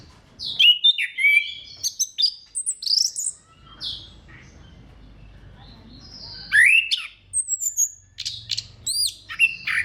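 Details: Orange-headed thrush song for stimulating other thrushes to sing: sharp downslurred whistles and chirps in quick bursts, a quiet stretch, then another lively run of sweeping notes.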